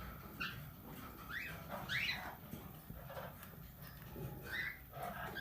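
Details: Talking, tamed plum-headed parakeet uttering sharp upslurred chirps and squeaky notes, about five scattered across the stretch, over a steady low room rumble.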